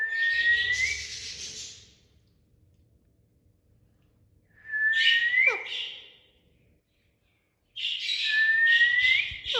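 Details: Several rising whistles from a talking parrot, each a long smooth upward slide overlaid with breathy, hissing noise. They come in three bouts separated by pauses of about two seconds.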